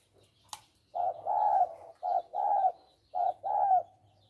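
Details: Caged male spotted dove used as a decoy for trapping in Thailand; three clear coo phrases, each a short note then a longer slurred one, about a second apart, after a single sharp click.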